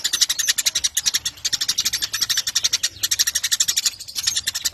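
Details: Eurasian tree sparrow, a lively singer used as a model for training contest birds, pouring out fast, high chirps in runs of one to two seconds separated by short pauses.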